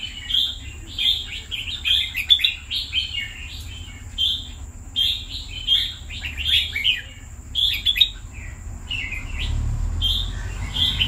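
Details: Red-whiskered bulbul, a kept pet bird held by its owner for two years, singing short bubbly whistled phrases repeated about once a second, with a steady high electrical whine and low rumbling background noise.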